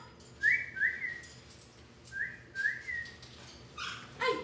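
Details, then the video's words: Pet Amazon parrot left alone indoors, whistling: a series of short rising whistles, several in pairs, followed by a rougher harsh call near the end. "loro llorando porque no le dan atención"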